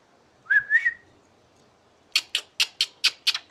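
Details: Asian pied starling, said to sound like a person laughing: a single rising two-part whistle, then a quick series of seven harsh, rasping notes in steady rhythm, like chuckling laughter.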